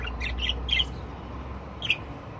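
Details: Budgerigars from a group of different birds giving a few short, harsh squawks, three close together and one more after a pause, over low background hum.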